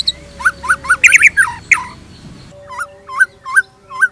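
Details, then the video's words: Shama phrases of looping, curled whistles, first mixed with sharp bright chips and squeaks, then after a gap four clean looped notes spaced about a third of a second apart. "PANCINGAN GACOR !! MATERI mewah cocok untuk masteran semua jenis murai | shama bird"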